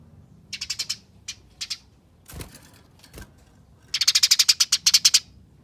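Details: Fighting chatter of a Eurasian tree sparrow, meant as a lure to make other sparrows call: a few short harsh chip groups with two dull knocks between, then a fast, loud stream of grating chips.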